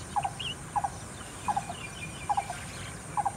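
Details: A lesser coucal in Cambodia gives short, hollow double hoots, five pairs about every 0.7 seconds, with faint chirps of other birds and a soft hiss behind.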